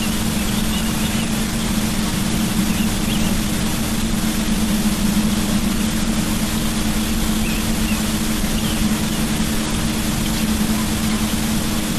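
Steady engine-like rumble with a constant low hum and broadband hiss throughout, no animal voice heard.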